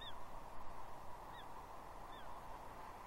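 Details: Young female bald eagle begging from her father for fish at Two Harbors, Catalina, on 30 June 2021: three high, thin, falling squeals spaced unevenly over a constant hissing background.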